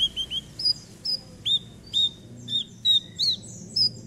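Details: A prolific singing Javan bush lark, played as a lure to prompt a stalled bird to sing, gives crisp, high, clipped whistles, some rising and some falling, roughly one per second against a quiet background.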